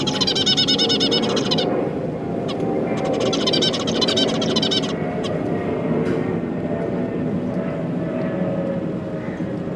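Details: Zebra finch parents feeding their newly hatched chicks alongside three juveniles, December 2022; two loud bursts of fast, buzzy, rattling notes, then quieter with a few faint calls over a steady hum.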